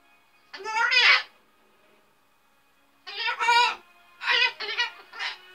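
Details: A 10-year-old female umbrella cockatoo, which curses when it gets loud or she dislikes something, talks in raspy, speech-like phrases: three bursts of harsh mimicked words with pauses, indoors with faint background sound.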